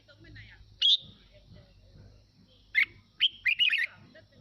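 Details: Red-whiskered bulbul of the wild-type 'mào mộc' form, singing a song used as playback to stir other birds into singing and getting fired up: one short bright note, a long pause, then a quick warbled phrase of four clear, whistled notes.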